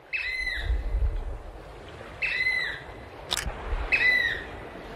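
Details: Variable oystercatcher, a New Zealand endemic found in pairs and small groups along almost the entire coastline, recorded in 2019, giving loud, shrill piping calls, each a sharp downward-slurred note, repeated about every two seconds over low rumbling background noise.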